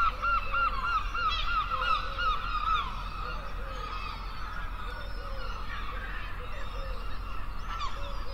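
Gulls give a quick series of harsh, nasal calls in the first few seconds, with scattered calls after, over a steady roar of surf and wind.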